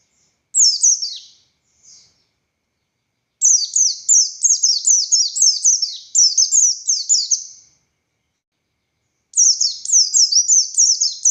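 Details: Caged Oriental white-eye (buxtoni) giving ngalas song: a high, drooping phrase and a faint note, then a long, rapid sequence of thin, descending chirped whistles, a two-second silence, and another fast run.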